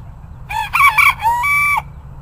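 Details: Bantam rooster crowing: a loud multi-part crow, with short rising opening notes, a wavering middle and a long level final note, over low background rumble.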